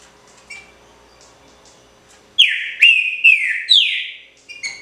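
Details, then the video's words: Pixarro song from a green-winged saltator (trinca-ferro): a few faint chirps, then four loud downslurred whistles in a rapid, even run, closing with softer short notes. "TRINCA-FERRO PRECIOSO (PIXARRO ORIGINAL)"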